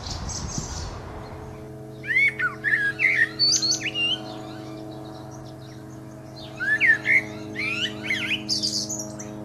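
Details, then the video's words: Common blackbird song: two bursts of rich warbled, fluty phrases, the first near two seconds and the second near seven, each ending in higher twittering notes, over steady humming background music. "Mirlo común - Canto"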